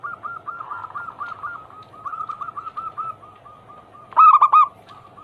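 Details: Zebra dove song meant to stimulate reluctant doves to sing: a long stream of quick, soft rolling coos, slightly uneven in loudness, then one loud ringing burst of three coos and a faint trailing note.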